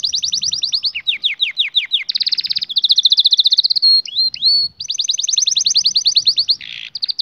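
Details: Domestic canary singing a continuous rolling song: rapid trills and repeated rising notes, a steady high tour, a few slurred whistles, then another long fast trill and a short buzzy phrase.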